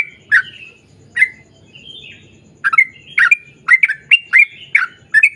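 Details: Sooty-headed bulbul in energetic long-running 'ropel panjang' song, recorded to lure others of its kind into singing; short bright chirping notes come in irregular bursts, sparse at first and then quick and clustered near the end.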